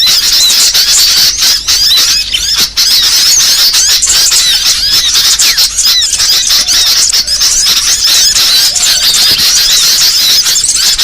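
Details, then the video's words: Lure recording to draw in many kinds of small birds: a steady, bright twittering chorus of countless overlapping chirps and thin whistles, constant in loudness from start to finish. "Suara paling ampuh pikat segala jenis burung kecil"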